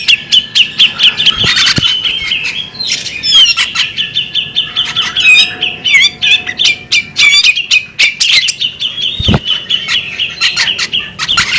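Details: Rapid high chatter from a female bearded magpie robin: short whistled notes and slurred trills repeated almost without pause, with frequent crisp clicks and a few louder snapping sounds.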